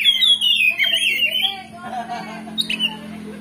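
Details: Oriental magpie-robin (kacer) lure song meant to provoke fighting: a run of bright descending whistles for the first second and a half, then a quieter stretch with scattered chirps over a steady low hum.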